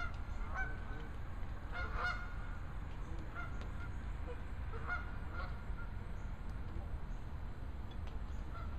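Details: Gaggle of geese honking: several short nasal calls, some in quick pairs, scattered through a steady roar of low wind noise.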